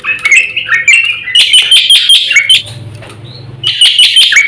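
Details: Caged black-winged myna in lively song for training other birds: slurred whistles and scratchy chatter, a brief quiet gap with low hum, then harsh repeated notes resume.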